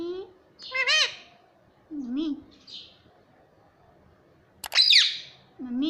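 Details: Pet rose-ringed parakeet talking, mimicking the words "mummy papa": nasal, speech-like syllables with bending pitch come in short bursts, broken by one harsh, sharp screech near the end.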